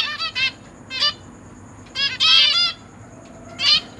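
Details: Zebra finch family kept in a cage, parents feeding three juvenile and three newborn young, 29 September 2023: short nasal honking calls in quick pairs, then a longer chattering burst and a final call, over a faint constant high tone.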